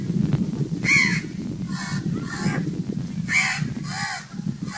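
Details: Loud crow calls: four or five coarse, honking caws with gaps between them, over a continuous low rumble.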